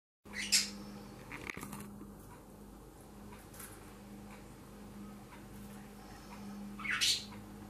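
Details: A budgerigar in Lancashire gives two harsh, scratchy squawks several seconds apart, with faint chirps between.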